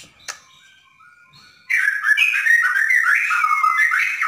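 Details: White-rumped shama from Borneo singing in 'dar der dor' style to provoke another bird: a quiet lead-in with a click, then a sudden loud stream of warbled, fast-varying whistles.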